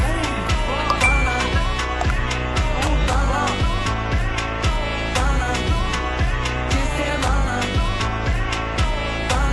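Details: Pop music with singing, drums and instruments plays throughout, with no animal sounds.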